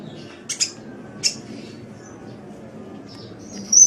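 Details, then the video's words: Sunbird call used as training audio for cage birds: a quick pair of high, scratchy chirps, a lone chirp, then quieter squeaks and a longer shrill, whistled note at the close, over low background hum. "Masteran Suara Kolibri"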